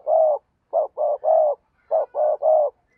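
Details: Decoy spotted dove used to draw in wild doves gives three-part coos: a short note, then two drawn-out level coos, the phrase repeated twice back to back in quiet surroundings.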